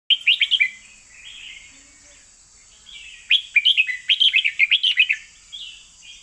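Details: Caged red-whiskered bulbul singing in the เบิ้ล2เบิ้ล3 style: bright, bubbly chirped phrases in two bursts, the second a rapid chain of about ten warbled notes, with a steady high electrical whine behind.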